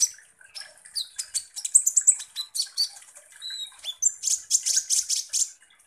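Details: Kolibri ninja sunbird in lively song, used to provoke other birds: rapid, nearly continuous high twittering, a thin level whistle midway, then a run of evenly spaced loud sharp chips.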